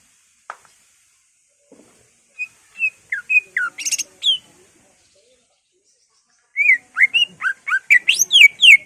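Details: Greater green leafbird singing its isian, or mimicked phrases, in ngentrok style to provoke rivals: sparse ticks, then a string of short whistles and a buzzy burst, ending in a fast cascade of slurred notes.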